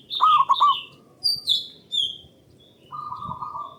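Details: Zebra dove of a local Indonesian strain, loud and long-voiced, used as a lure for other doves: a bubbling trilled coo opens, then sharp high chirps from other birds, then a steady rolling coo to finish.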